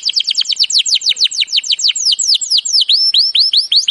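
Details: Rapid downward-stroked notes from a canary, part of a training song, slowing into a series of upward-curving whistles.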